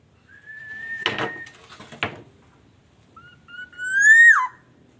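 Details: Black-naped oriole from Aceh, recorded as a lure to draw singing orioles. A flat sustained whistle is broken by two knocks, followed by a loud rising fluty phrase ending in a sharp downward slur.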